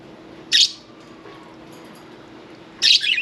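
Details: Pet budgerigar chirping while another bathes: two separate sharp, high chirps, the second breaking into a brief scratchy warble, with a quiet hum between.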